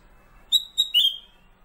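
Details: Master song of a kept Black-capped bulbul, known locally as kutilang emas: a short high whistled note, a quick repeat of it, then a longer downward-slurring whistle; the background is otherwise quiet.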